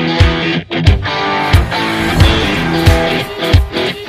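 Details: Loud music with strummed electric guitar over a steady, heavy beat, with no animal voice heard.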